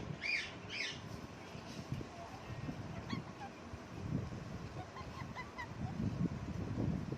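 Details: A parrot perched on a lemon plant gives two harsh, screechy squawks in the first second, then a scatter of short, thin chirps, over a steady low background rumble.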